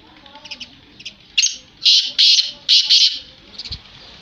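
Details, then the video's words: Black francolin, kala teetar: a loud series of harsh, grating notes in quick groups, preceded and followed by softer, thin notes, with little background noise. "Kala Teetar Black Francolin / کالا تیتر کی مست اور آواز"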